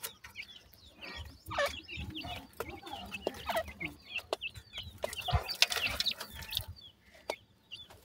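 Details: Several black francolin chicks give thin, high peeps and downward-sliding chirps, scattered irregularly among bumping and scraping noises, with a louder burst of clatter near the end.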